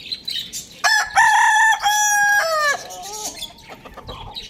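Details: Pet rooster crowing loudly in the morning: a long, harmonic-rich cock-a-doodle-doo with a steady middle section that drops in pitch at the end, followed by softer clucks and background chirping of other kept birds.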